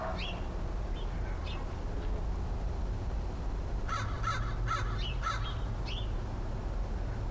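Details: A visiting crow, the last crow friend of the year, sounding cautious, recorded 13 October 2013: a series of about five harsh, evenly spaced caws late in the clip, with thin high bird chirps before and after over steady low background rumble.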